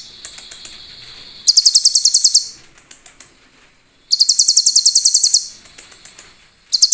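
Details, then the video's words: Master recording of a sunbird for training other cage birds, with clear 'cililin' filler: a sustained high whine, then two long runs of fast, evenly spaced, very high, sharp notes, with scattered chips in between and a final short burst. "SUARA ASLI BURUNG KOLIBRI ISIAN CILILIN JERNIH NGALUN MUDAH DI INGAT"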